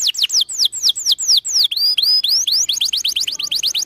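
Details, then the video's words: Canary in lively song for coaching young canaries: a series of loud falling whistles, a few rising slurs, then a quicker run of short repeated downslurred notes. "Kenari gacor panjang Merdu Cuit Cuit EMOSI, Pancingan Kenari Paud Belajar Bunyi"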